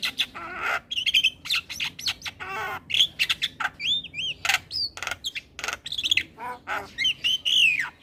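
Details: Javan myna in morning song, used to teach young birds: energetic mix of harsh chatter, whistled slurs and looping squealing notes in rapid bursts, with barely a pause.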